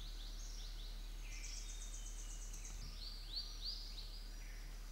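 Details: A black drongo (Dicrurus macrocercus) gives sharp, rising whistled notes and a rapid buzzy, metallic series, several calls within a few seconds, over a steady low rumble of background noise.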